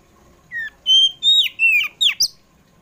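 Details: Afternoon song of a kacer poci Oriental magpie-robin, played to coax kept magpie-robins into song: five clear slurred whistles, mostly falling in pitch, ending with a sharp click.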